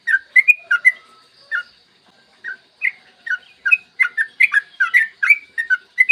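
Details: Yellow-vented bulbul giving morning lure song to prompt other bulbuls to sing: a few quick bubbly notes, a pause of about a second, then a lively run of repeated liquid, slurred notes, roughly two or three each second.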